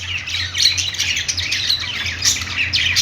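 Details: Budgies playing, a short stretch of busy chirping and raspy squawks, with quick upward-sweeping notes toward the end over a low hum.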